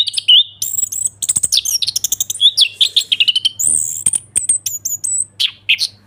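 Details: Ngeplong-style song of an Orange-headed thrush, played to prompt a bird that has stopped singing: dense run of fast whistled notes, buzzy high trills and clicks delivered almost without pause, faint low hum behind.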